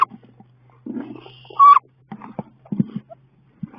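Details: Female wood ducks battling in a nest box, 16 May: scrapes, thuds and rustling fill the enclosed space, broken by one strong, clear squeal midway and a few brief fainter squeaky notes.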